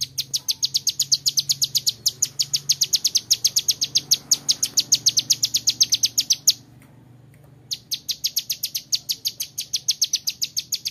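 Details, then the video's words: A young male Bar-winged Prinia, kept as a song model for other birds, pours out a fast metallic rattle of high sharp ticks for over six seconds, stops briefly, then resumes the same rattle. "Suara ciblek gunung muda nembak varisi cocok buat masteran"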